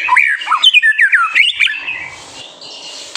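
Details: White-rumped shama song in good voice, used to provoke young birds into singing: a quick string of varied whistled phrases with looping upslurs and downslurs, fading into soft background hiss after two seconds.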